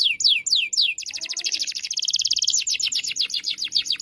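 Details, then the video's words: Juvenile canary being tutored by a vigorous singing canary; a few sweeping down-slurred whistles lead into a long, rapid, high-pitched rolling trill of evenly repeated chirps. "KENARI PAUD BELAJAR BUNYI EFEKTIF DI TEMPEL KENARI GACOR PENUH EMOSI"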